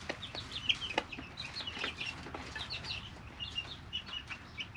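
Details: Young chicks, three weeks old, in a brooder: soft irregular high peeps spread evenly, several birds calling, over a steady rustle and occasional knocks.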